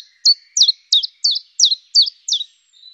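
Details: Seven high, clear, downslurred notes from a common chiffchaff follow one another about three per second in an alternating chiff-chaff pattern, with a thin faint tone at the end and otherwise quiet surroundings.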